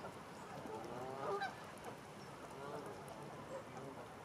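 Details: Large flock of Canada Geese grazing in a stubble field in Wiltshire, UK, October 2019; one loud honk in the middle, followed by quieter scattered honks and general flock chatter.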